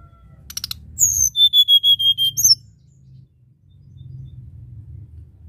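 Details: Tledekan gunung in flute-like nyuling song: quick high chirps lead into a run of about eight clipped, level whistled notes, closing with a shrill high note, then quiet with a low hum.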